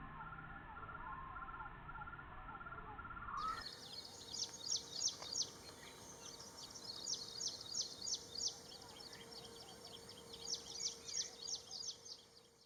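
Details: Ashy prinia calling: short clusters of rapid, thin, high-pitched notes, each burst repeated every second or two at a fairly steady pace, over a constant background hiss.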